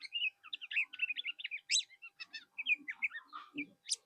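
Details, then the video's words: Kecial kuning, the mol type, singing a tutor song used to train other birds to sing and to provoke rival birds to answer: rapid high chirps and twitters in quick broken bursts, with a few lower rough notes near the end. "Masteran berbagai macam burung , bisa gunakan kecial kuning mol ini"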